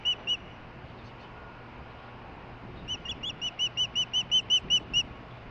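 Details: Female osprey getting a fish delivery somewhere near, July 23, 2015. Two clear chirps, a quiet pause of over two seconds, then a building run of about a dozen rapid whistled chirps growing louder.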